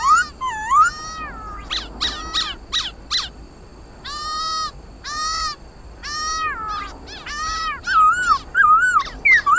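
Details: Black laughingthrush singing a competitive song, meant to stimulate pet birds to sing: loud, clear whistled phrases, rising and falling, with varied rapid notes and short slurred motifs repeated in bursts over several seconds, with faint background hiss.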